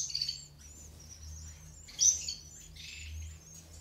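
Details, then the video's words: Captive mutant female European goldfinch feeding her chicks in an aviary, natural rearing; thin high-pitched chirps from the begging young come in short bursts near the start, middle and end, over a faint low hum. "JILGUERA MUTADA CEBANDO A LOS POLLOS"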